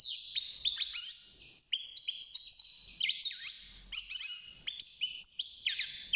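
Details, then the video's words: A caged goldfinch, aged six months and at the start of its singing, pours out a rapid, bright, twittering run of high chirps and quick slides, packed tightly together in a steady stream. "الحسون بعد مرور ستة شهور أصبح يغرد"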